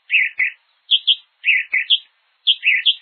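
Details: Hepatic Tanager (sanhaçu-de-fogo) in Brazil sings quick paired whistled phrases, with burry notes alternating with higher clear ones, repeated about every second; no other sounds.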